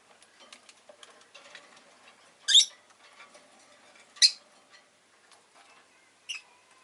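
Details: Rosy-faced lovebird chirping indoors: three sharp, harsh single notes spaced roughly two seconds apart, with soft clicking and faint background rustle between them.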